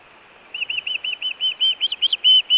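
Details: Osprey calling at a Montana nest in June, food or alert calls: high whistled chirps that start soft and quicken, growing louder and more urgent toward the end.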